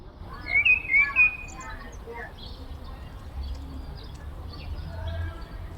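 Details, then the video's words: Common blackbird singing in the courtyard of a Brezhnev-era apartment block in Kupchino: a quick run of three clear, fluting whistled notes, then softer trailing warbles fading into steady urban background noise. "Чёрный дрозд поёт во дворе брежневки в Купчино"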